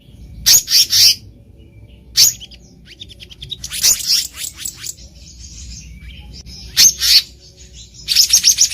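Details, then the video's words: Wild black-naped monarch, recorded as a trapping lure: scattered short clusters of sharp, high chattering notes with longer quiet gaps between them. "SUARA ASLI BURUNG KEHICAP RANTING DI ALAM LIAR EDISI KHUSUS PIKAT"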